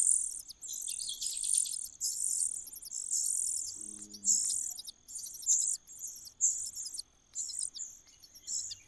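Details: Common cuckoo chick in a nest, begging: thin, very high, hissy chirps in rapid bursts, roughly one per second, some doubled, over a steady high electronic-sounding whine.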